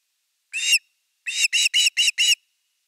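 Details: Osprey calling at nest #3 in Finland on 30 August 2021, evening fish time, recorded by a live nest camera. One lone whistled note, a short gap, then five quick chirps.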